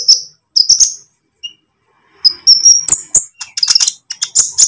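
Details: Konin lovebird singing on a training lure recording, 'ijoan' or 'trotol' type: scattered high chirps, then a thin whistled trill leading into quick, shrill, buzzy chattering.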